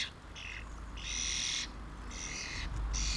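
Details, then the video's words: Common starlings, a family at mealworms in 2016, produce drawn-out hissing, grating calls, four bursts in about three seconds, the longest near one second, over a low rumble. "Starling family 2016"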